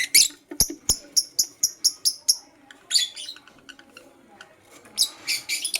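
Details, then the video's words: Blue opaline lovebird singing in the morning: a fast run of about nine sharp high chirps, evenly spaced, followed by harsher shrill chattering bursts and a last cluster of loud squeaky notes. "Funny Lovebird - Lovebird Chirping Sounds - LoveBird Sings - Blue Opaline"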